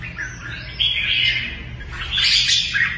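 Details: Kept red-whiskered bulbul pouring out loud, rich warbled phrases, sliding up and down, ending in a bright, high, chattering flourish; faint low hum behind.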